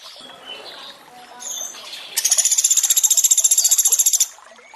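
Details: Water trickles beneath scattered faint chirps before a Sunda pygmy woodpecker breaks into a quick, high, uniform chattering trill lasting about two seconds, in a training recording with added water sounds.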